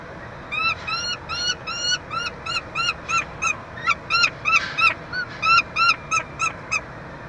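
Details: Peregrine falcon calls during feeding of a chick at a University of Montreal nestbox, Quebec, 22 June 2023: quick harsh, nasal notes repeated about three per second, over a steady hum.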